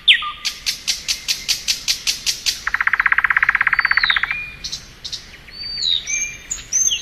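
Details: Thrush nightingale singing in spring: a series of sharp, evenly spaced high notes, then a fast dry rattle lasting over a second, ending in thin whistled upslurs and clicks.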